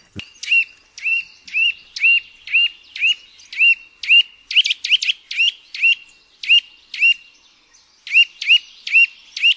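Eurasian nuthatch giving a run of loud, ringing whistled notes, about two per second, each clipped and slightly rising, with a brief burst of quicker notes midway.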